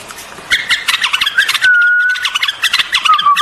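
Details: White-eared bulbul song with busy chattering notes giving way to a long, level whistled tone, then a short warbled phrase, amid other bird chatter.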